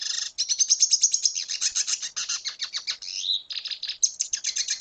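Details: Sustained song of a red siskin from Venezuela, a rapid unbroken twitter of high chirps with a downward-slurred buzzy phrase midway before the fast chattering resumes.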